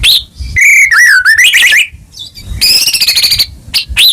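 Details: White-rumped shama song played to stir a silent caged bird into singing: loud, rich whistled phrases with fast warbling trills, a wavering note and a long buzzy rattling burst, separated by short pauses.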